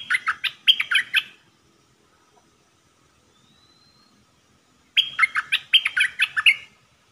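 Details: Red-whiskered bulbul kept in a cage as a decoy bird for trapping, dok taeng song style, 1 September 2021; two quick bubbly phrases of loud chirping, rolling notes separated by a long quiet gap with one faint thin whistle.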